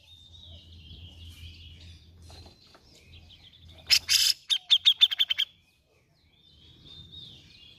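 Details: Grey-cheeked bulbul on a lure track meant to prompt a reluctant singer. Faint thin whistles over low rumble, then a loud rasping burst and a rapid string of bright chirps, a short silence, and soft whistling again.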